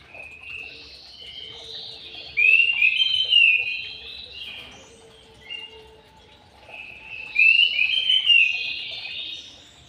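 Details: White-rumped shama kept in an aviary repeating a loud whistled, warbling phrase twice about five seconds apart, with quieter song and faint tones between.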